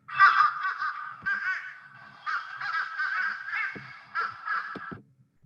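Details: Fish crow, played back as an example of its voice: a series of short nasal, hoarse caws in four bursts over about five seconds, sounding unlike a regular crow, like a crow with a problem; quiet background.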